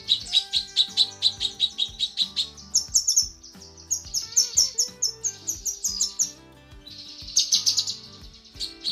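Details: Female cucak kinoi calling a male, recorded for tutoring: rapid high chirps give way to shriller, buzzy bursts in short clusters. A quieter gap follows before more bursts, all over background music.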